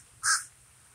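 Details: A single short, harsh caw from a common raven, abrupt and clipped, against quiet background.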